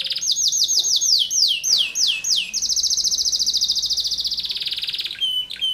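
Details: Insistent canary delivering 'tembakan rapat' dense shots: a series of high falling whistles, then a long machine-gun trill ending in a few short clipped notes.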